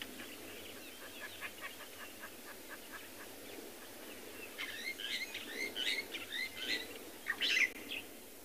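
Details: On a morning game drive at a South African game reserve on 7 February 2021, starlings give quick, scratchy chirps and whistles that grow louder and busier, with sharp high notes. A lilac-breasted roller is also calling.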